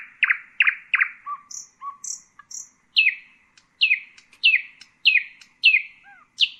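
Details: Common nightingale (Luscinia megarhynchos) song with three loud chirps, soft low notes and high whistles, followed by a steady run of six falling emphatic notes about half a second apart.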